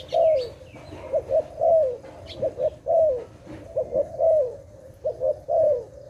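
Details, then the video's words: A dove, recorded during trapping, coos steadily: soft clipped notes alternate with longer, falling, rolling coos, repeating in a regular rhythmic phrase for six seconds against low background hum. "Sound of dove"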